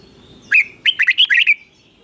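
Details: Caged red-whiskered bulbul singing a short, lively phrase: an upswept whistled opening, a brief pause, then five rapid liquid notes, used as a model song for teaching young birds; quiet surroundings.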